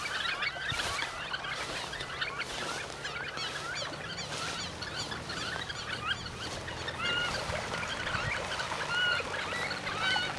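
A flock of Fulvous Whistling Ducks gives a dense chatter of squeaky, whistled calls, with clearer two-note whistles standing out near the end.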